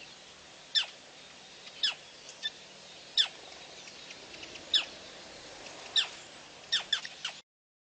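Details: Irregular run of thin, high downward-sweeping calls from a female black crake at PP on 9/6/11, about ten notes over seven seconds, ending with a quick cluster.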